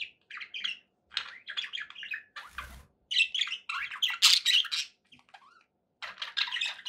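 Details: Pet budgerigars chattering happily indoors: bursts of squeaky, scratchy warbles and chirps broken by short pauses, with one brief noisy rustle midway.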